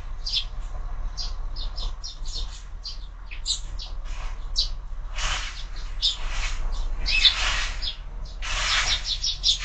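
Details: Sparrows at a window-mounted feeder in the morning; scattered short chirps and sharp tweets at irregular intervals, with brief rustling bursts, likely wingbeats, and a low steady hum behind.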